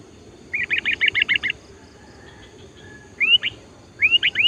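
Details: Sooty-headed bulbul in full song, used as a lure bird to call in wild bulbuls while practising trapping: a quick run of about eight short clear notes, then brief bubbly whistled phrases of rising and falling notes, over a low background hum.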